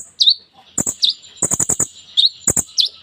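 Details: Kolibri ninja sunbird in full song with imitated phrases, used to prompt silent sunbirds. High, thin sliding chips alternate with bursts of four to five rapid dry clicks, repeated over about three seconds.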